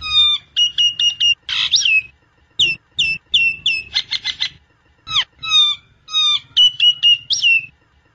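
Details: Lure recording of Nias hill myna, played to prompt a caged bird into full song: short clusters of bright whistled notes broken by harsh squawks and rasping bursts, loud and varied throughout.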